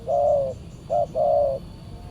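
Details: Spotted dove near a decoy during a trapping outing; a long steady coo, a short coo, then another long coo, clear and even over low background hum.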